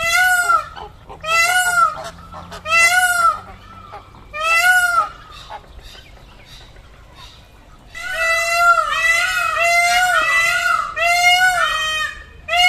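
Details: Peacocks giving loud, harsh wailing calls, four spaced cries early on, a quiet gap, then several birds calling over one another in an overlapping, continuous chorus of nasal, arching wails.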